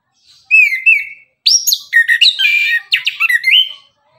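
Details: Energetic morning 'tembakan' singing by an Orange-headed thrush: two clear whistled notes, then a rapid, crowded jumble of loud slurred whistles and chirps swinging up and down, ending on a rising whistle.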